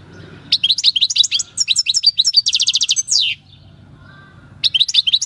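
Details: Countryside-caught European goldfinch from 2018 with wild field song: a rapid tinkling twitter, then a buzzy rattle and a downslurred note, a silent pause, and the twittering resuming.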